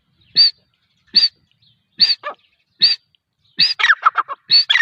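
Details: Female grey francolin (teetar) calling: harsh, buzzy notes repeated about every 0.8 seconds, ending in a quicker run of rasping, chattering notes.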